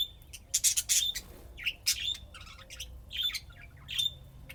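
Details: Playing budgerigars in Texas, USA, giving harsh squawky chirps and broadband clicks in quick clusters, mixed with softer warbles and short pauses.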